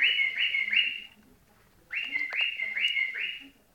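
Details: Clear whistled song of a white-eared bulbul: two bursts of three to four repeated rising, slurred notes, each burst lasting about a second, with faint lower chirps and clicks behind.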